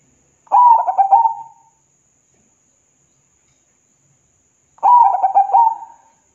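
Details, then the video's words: Two phrases of local zebra dove song used to coax lazy doves into singing, about four seconds apart: each a sharp coo followed by rapid stuttering pulses and a fading tail, in silence otherwise. "Perkutut Lokal GACOR , Pancingan Paling MANTAB Buat Perkutut MALAS BUNYi"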